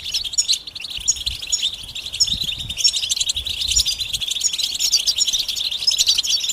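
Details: European goldfinch mating calls for rousing a quiet male: a steady, high, chattering twitter with ringing chips and rapid trills throughout, plus faint low thumps in the background.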